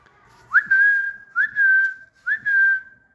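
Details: Green parrot kept as a pet whistling three times about once a second, each a pure tone swooping up sharply then held level, with a quiet room behind.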